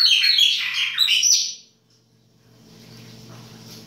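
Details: Chopi blackbird in winter giving a burst of baianinho-style song, dense overlapping high whistles and warbled notes for about one and a half seconds, then near silence with low hum.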